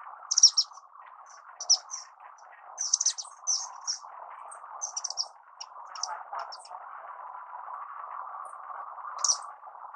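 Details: An Orange-cheeked waxbill (Estrilda melpoda) sings a quick run of high, sharp twittering chirps in the first half, then sparser, softer notes and one last loud chirp near the end, over a steady low hum.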